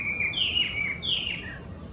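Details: Wild Chinese hwamei, invasive in Japan, giving two loud clear whistled notes that swoop downward, each with a rising onset.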